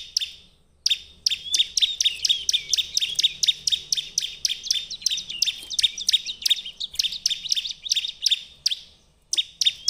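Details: Bar-winged prinia song used to lure other birds into singing: after a lone chirp, a long fast rattle of high clipped notes runs steadily for about eight seconds before stopping, then resumes.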